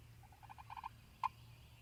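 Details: Spring morning in Mississippi, male Wild Turkey gobbling after leaving the roost: a short, rapid rattle of throaty notes rising in loudness, followed by one sharp louder note, over a low steady background hum.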